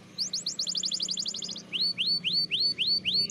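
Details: Spanish Timbrado canary singing a training song: a rapid, even trill of high chirping notes for over a second, then a series of six clear rising whistled swoops spaced roughly half a second apart.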